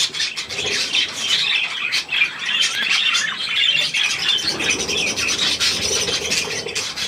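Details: Budgerigars with their young at millet on 3 May 2024: an unbroken stream of buzzy twitters and brief squawks, many birds calling together at a steady level.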